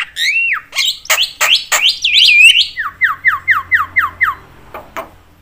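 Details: Javan myna calling to provoke other mynas: varied whistled and harsh notes, one long looping whistle, then about eight falling slurred whistles repeated quickly in an even run.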